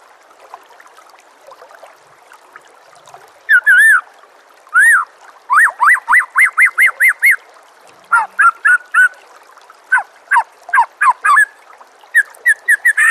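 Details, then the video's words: White-rumped shama master song for training birds. After a quiet start come loud, clear whistled notes, then quick runs of short rising-falling whistles, broken by brief pauses. "SEKETIKA PASTI NYAUT dan GACOR bila murai batu anda dengar suara MASTERAN burung seperti ini"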